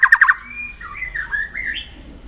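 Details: White-rumped shama song for vocal training and contest stimulation: four quick stuttered notes, then a sweet wandering whistled phrase rising at the end.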